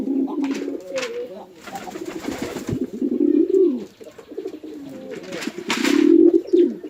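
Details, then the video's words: Fighting male and female pigeons at a village pigeon farm, Chittagong District, Bangladesh, give throaty rolling coos in long swelling phrases, interrupted by sharp wing claps and scuffling bursts. "Awesome Male & Female Pigeon Combo Attacks Sound"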